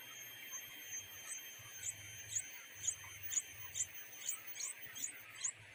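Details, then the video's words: Wild nightingale chicks in Indonesia, two nestlings begging their mother for food, give a run of about ten thin, very high squeaks, one roughly every half second, over a steady high hiss and an intermittent low hum. "the two nightingale chicks were so greedy that their mother was unable to find food for them"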